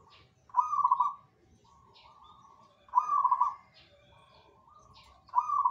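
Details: Zebra dove song, repeated rapid-fire trilled coo phrases every two and a half seconds, each followed by a softer, lower echoing phrase, with faint high chirps behind.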